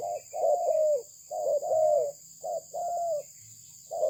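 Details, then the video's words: Mellow cooing from a Malaysian-bred spotted dove: a short note followed by a long, slightly falling coo, the pair repeating about three times over quiet background hiss. "លលកធ្នាក់ម៉ាឡេស៊ីពូជល្អ សម្លេងល្អ"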